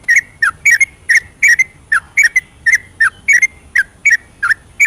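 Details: Yellow-vented bulbul in full ropelan song at night, used as a lure for reluctant singers. Crisp bubbling whistled notes come in rapid doublets and triplets, evenly spread through the passage over a quiet background.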